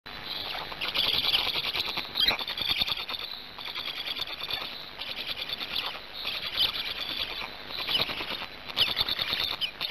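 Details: Black stork chick at a nest in Gemenc, Hungary, filmed by a live nest camera on 10 May 2019 at 17:51 after finally swallowing a huge fish; rasping, hissy high bursts come almost continuously in rough pulses, with faint rustling.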